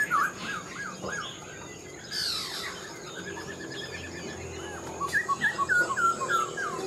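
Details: A caged Black-throated laughingthrush, wild-caught when mature, offers brief whistles, then a rustling pause, ending with a rapid chain of short looping whistled notes.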